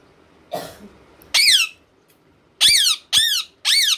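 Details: Ringneck parrots, male and female, giving loud harsh screeching calls in four separate bursts, each with a rising-then-falling sweep, after a soft rustle.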